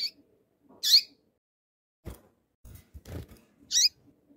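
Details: Calling female rusty-collared seedeater exciting a tui-tui male: bright, high chips now and then, separated by a cluster of dull tapping and thumping noises.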